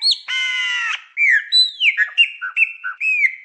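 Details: Chopi blackbird song for stimulating a pet bird to sing: a harsh, harmonic-rich note, then a run of clear whistled, slurred phrases that dip and rise, several short notes in quick succession.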